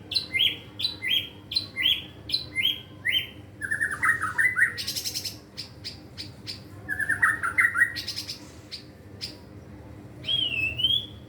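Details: Young caged white-rumped shama practising its varied song: a rhythmic run of descending whistles, harsh buzzy bursts, scratchy rattles and clicks, ending in a clear rising and falling whistle.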